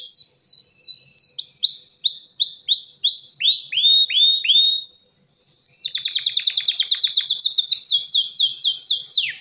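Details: Singing male canary calling a female to mate and build a nest: repeated downward-curving whistles slow into broader slurs, then give way to a very fast, high, rattling trill that runs to the end.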